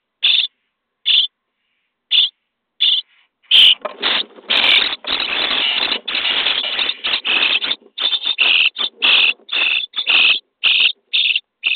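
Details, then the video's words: Common starling nestlings in a nest box on day 23, being fed: harsh rasping bursts at spaced intervals, then a dense stretch of continuous hissing calls and rustling during feeding, before separate bursts resume. "Szpaki w budce dzień 23 - karmienie piskląt"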